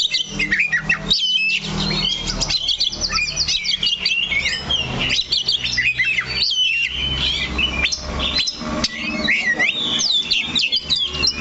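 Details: Oriental magpie-robin keeping to one perch while singing vigorously: long, continuous medley of quick whistles, harsh chatters and looping slurred notes, over a low rumbling background.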